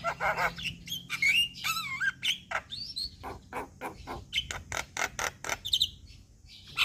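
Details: Starling lure with harsh, grating chatter mixed with wavering whistled phrases. Loud rasping bursts repeat roughly twice a second, forming a noisy, busy bird medley.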